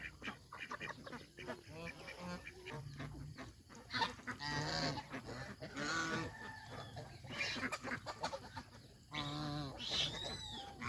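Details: Domestic geese on a countryside farm, out of the pen to eat greens and splash in water, give scattered loud nasal honks in bursts separated by quieter gaps with softer background calling.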